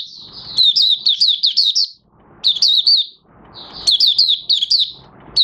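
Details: Oriental white-eye that has nearly completed its moult, new white feathers almost pigmented, 30 August 2022; three rapid strings of bright, high, warbling chirps separated by short gaps with faint low rumbles.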